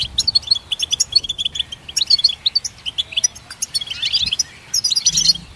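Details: Lively goldfinch song made of quick high chirps strung together, a buzzy, blurred twitter building near the end, with a soft low thump at one point.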